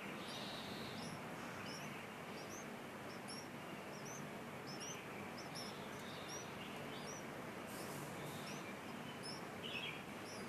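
A young bulbul gives thin, high, short chirps, repeated roughly every half second to second, over a steady hiss of outdoor background noise.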